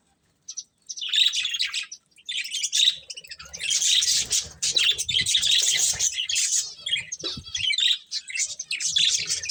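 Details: Colourful budgies feeding: after a quiet start, almost nonstop high warbling chatter with squeaky chirps, growing denser midway.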